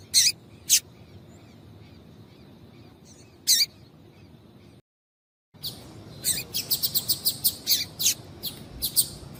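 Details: Female Double-collared seedeater calling insistently to excite a male: a few isolated piercing chirps, a brief silent break, then a rapid, uneven run of thin high chirps packed closely together.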